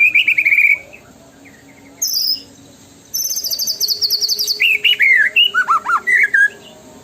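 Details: White-rumped shama, locally murai batu, giving tembakan lure song: a warbled trill, a brief high buzz, a long rattling high trill, then quick swooping whistles repeated in a bouncing series.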